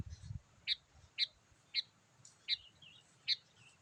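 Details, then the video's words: Sooty-headed bulbul calling, a sound used to lure wild birds: short, sharp, high chip notes repeated roughly every half second, with occasional soft trailing twitters, over a hissy background and a brief low thud at the start. "memikat burung kutilang dengan suarany yang gacor"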